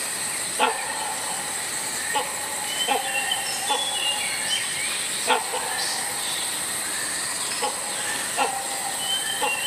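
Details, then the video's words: A toucan gives short, hoarse croaks at uneven intervals of one to two seconds, over a steady high insect hiss and faint whistles from other birds. "toucan bird sound"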